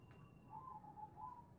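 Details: Local-strain zebra dove giving its natural voice: a soft, quiet, slightly wavering cooing tone with two gentle rises in pitch over about a second, plus a faint steady high whine early on and low background rumble.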